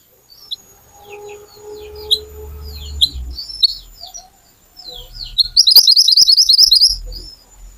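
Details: Little pied flycatcher singing sharply, a lure to prompt song from other birds: descending slurred high notes over a low hum and a faint steady tone, then a long, loud, rapid rattling trill.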